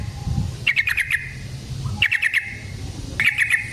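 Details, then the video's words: Yellow-vented bulbul giving a long rolling fighting song used as a lure to provoke other bulbuls: short chattering bursts of rapid notes repeated about every 1.3 seconds, with low background rumble. "Burung TRUCUKAN GACOR Ropel Panjang Cocok untuk PANCINGAN Trucuk bahan dan MASTERAN Burung Trucukan"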